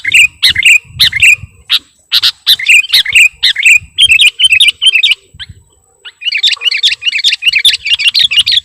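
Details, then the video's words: Sooty-headed bulbul chirps meant to lure wild birds: a busy stream of quick, bright twittering notes, a brief silence, then a dense chattering burst to the end. "Suara Pikat Burung Kutilang Gacorr"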